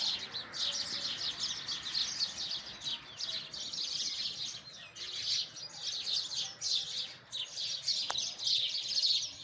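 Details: Real outdoor sparrow sounds: dense flock chatter of rapid, high, sharp chirps that rise and fall in loudness in waves, with one brief click near the end.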